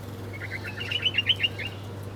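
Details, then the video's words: Birds chirping while eating breakfast: a quick run of bright, sharp chirps, rising in loudness and then fading over about two seconds, over a steady low hum. "Different Birds Chirping Sound || Birds Are Breakfasting || Birds Eating Food"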